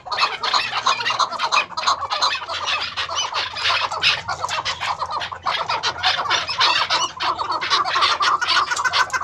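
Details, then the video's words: Female chukar partridge, Maskati chakor type, with a steady stream of rapid, scratchy chuck-like notes about three per second, crowded and overlapping throughout, with a low hum underneath. "Maskati Chakor Female awaz"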